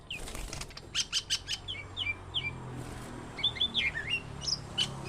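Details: Greater green leafbird song played as training audio: quick varied whistled notes and slurs, with bursts of wing flapping early on and a busier tumbling phrase near the end.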